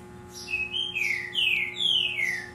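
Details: Caged Double-collared Seedeater of the tui tui style singing long, clear, down-slurred whistles, four in a row about half a second apart, over a faint steady hum.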